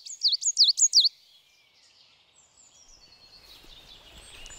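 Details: A Coal Tit, a bird tied to conifers and found mostly in mountains, sings a metallic song like a Great Tit's but with fluidly linked notes: four quick, high, bright two-note phrases in about a second. Faint distant bird calls and hiss follow.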